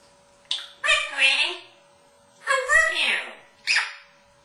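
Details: Captive male African grey parrot hatched in 1997, indoors in a Texas home, greeting its owner with "Hi! Sweetie! I love you!" and a kiss: clipped human-like words in bursts over a steady background hum, ending with a short smacking kiss sound.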